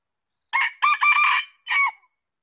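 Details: Red junglefowl crowing: a short, clipped crow of three harsh syllables over about one and a half seconds, the middle one longest, ending in a brief rising note, with silence around it.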